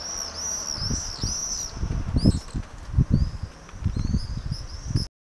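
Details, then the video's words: Common swifts (Apus apus) flying around in circles over Holstebro, Denmark, give shrill, buzzy, very high-pitched screams in quick overlapping bursts, over low gusty wind rumble. "Screaming common swifts flying around in circles"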